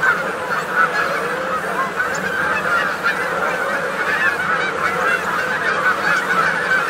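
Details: Feeding flock of Canada geese in Maryland, many birds calling at once in a dense, continuous chorus of nasal honks and short clucks overlapping without pause, with crickets or grasshoppers faintly audible.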